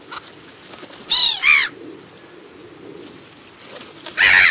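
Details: Black-headed gulls in the New Forest, Hampshire, England, in July: harsh, rasping calls with strong harmonics, two close together near the first second, then another loud screech at the end, over faint background noise.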